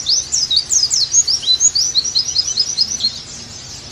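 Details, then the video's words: Oriental white-eye song for therapy and tutoring to make a pleci sing again: a jumbled, fast warble of very high squeaky chirps, about three notes a second, slightly irregular, with a faint hiss behind. "Terapi + Masteran Agar Pleci Gacor Kembali"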